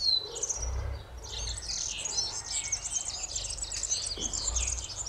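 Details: A common linnet (Linaria cannabina cannabina) sings a rapid, twittering jumble of high, bright notes and trills, with soft low rumbling underneath.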